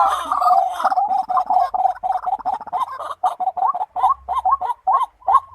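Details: Tikling (white-breasted waterhen) in a thick, gurgling stream of overlapping croaks that gradually separates into distinct rising notes repeated about twice a second.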